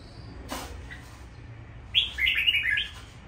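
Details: A Red-whiskered Bulbul kept at home gives a quick, bubbly phrase of five or six bright warbled notes lasting about a second, after a single knock of handling noise.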